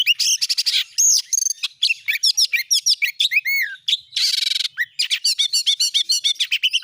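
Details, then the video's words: Oriental magpie-robin singing as a lure to start a kept bird singing: a dense, nonstop medley of sharp chirps, looping whistles and harsh buzzy bursts, with quick repeated notes packed tightly together. "jadikan burung Kacer anda cepat gacor dengan pancingan burung Kacer ini"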